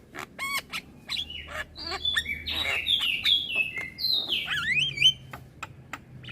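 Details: Young Javan myna chattering nonstop while nodding its head: a rapid jumble of sharp clicks and sliding whistled notes near the top of its range, some notes dropping in steps, with faint low hum underneath.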